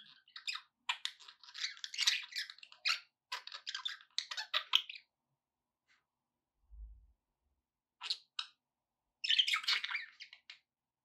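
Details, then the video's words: Captive budgerigars give dense scratchy chirping for about five seconds, fall nearly silent apart from a soft low bump, then return with two short bursts of squeaky warbling. "budgie sounds"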